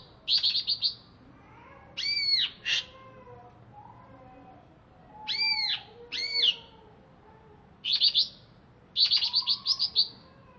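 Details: ['Greater green leafbird of Alas Purwo origin, kept in a cage and freshly bathed, alternates fast high trilled bursts with looping, ringing arched whistles, phrases spaced every couple of seconds; faint softer notes fill the gaps.']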